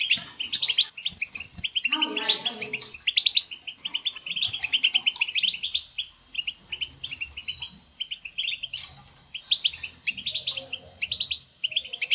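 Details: European goldfinch singing, played to encourage captive goldfinches: continuous high, jingling twitter with fast trilled runs, a lower descending chatter early on, and scattered sharp chips toward the end.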